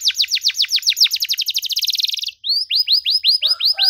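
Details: Singing canary used for training young birds: falling whistled notes that speed up into a rapid trill, then, after a short pause, slower rising-and-falling whistles repeated in series.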